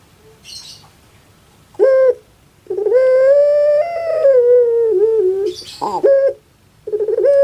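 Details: Puter pelung, a caged Indonesian dove whose voice is compared to a baby crying: a sharp short note, then a long wavering coo that rises and sinks, with faint rustling and another clipped note after.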